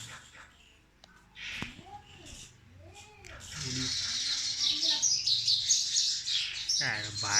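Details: Two sparrows fighting: after a stretch of human voices, a dense, high, scratchy chirping chatter starts and runs on, with rapid, roughly regular notes, and a final sharp burst of calls.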